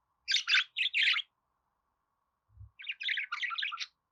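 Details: Budgerigar song: two bursts of loud, buzzy chirps, a pause with one soft low thump, then a longer, jumbled, scratchy warble.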